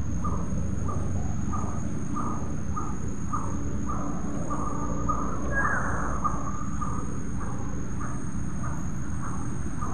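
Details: Coppersmith barbet calling at Bukit Batok nature park at 7.51 am on 30 July 2022: soft, low, hollow notes repeated steadily about twice a second, partly buried under a loud, constant low rumble of traffic-like background noise.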